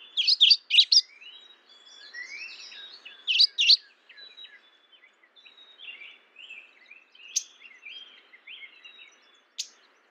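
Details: Mourning warbler calling: bright, rapid clusters of high chirpy notes, repeated after about three seconds, then a busy run of thin, short high whistles and sweeping notes, with two sharp clicks near the end.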